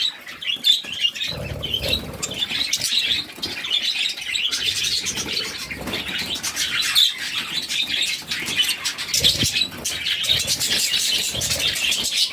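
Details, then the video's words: Budgerigar chicks, six of them, begging as their mother feeds them; an unbroken stream of rapid, raspy high chirps rising and falling in intensity, with faint fluttering in the background. "Budgies baby feeding || Mother budgies feeding her cute babies"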